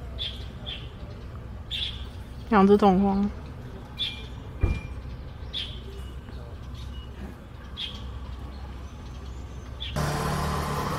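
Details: Russet sparrows, two birds together, photographed in Baihe District, Tainan, on 8 March 2022: short, sharp chirps repeated roughly every second, with a brief voice mid-clip, a knock, and a vehicle's rushing noise rising at the end.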